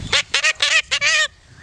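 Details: A five-year-old pet yellow-collared macaw (Primolius auricollis), singing along with a person's hymn singing, gives four harsh, raspy, nasal squawks in quick succession, with a short pause before the last and longest.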